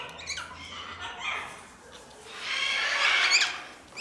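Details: Galah and Major Mitchell's cockatoo giving harsh, noisy screeches, a short burst near the start and a longer rasping call later, both broad and grating, with an indoor background.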